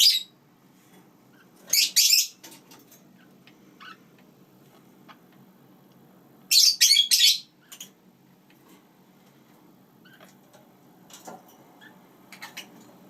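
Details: Harsh, squawky chattering bursts from pet lineolated parakeets living with their chicks, coming in two main clusters several seconds apart, with fainter single chirps in a quiet indoor setting.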